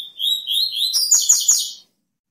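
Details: Double-collared seedeater, known locally as coleiro, in full song: a high sliding whistled phrase flows into a rapid run of sharp, buzzy descending strokes, all high-pitched, lasting under two seconds, then silence.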